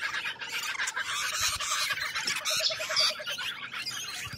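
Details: Noisy chorus of lorikeets from Australian wildlife, rasping high screeches tumbling over one another without pause, while a quick series of low even pulses sounds twice in the background.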